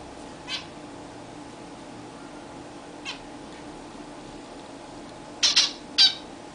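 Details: Caged zebra finches having their first bath in a roomier new cage. Two faint isolated calls, then a loud cluster of nasal calls and one more sharp call near the end, over a quiet steady hum.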